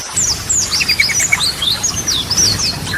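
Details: Yellow-vented bulbul singing ropelan and goklikan style phrases for use as a lure: high thin sliding whistles over a run of quick lower chirps, continuous and lively.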